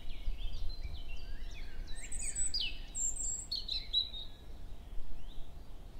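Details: Male European robin singing at 7 a.m. in early May in woodland at Hoher Peißenberg, with a female nearby exchanging contact calls: a thin, tumbling phrase of high silvery trills and sliding whistles with abrupt pitch jumps, over a low rumble.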